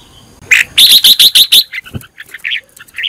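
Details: Red-whiskered bulbul, a training/decoy bird whose song is used to train other bulbuls, gives a loud run of six rapid, bright chirps, followed by softer varied warbling notes.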